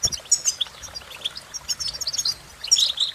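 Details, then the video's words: Short burst of European goldfinch song, fast high chirps and tinkling twitters tumbling together, ending with louder buzzy trilled notes. "impress The Goldfinch With Bird Melodies"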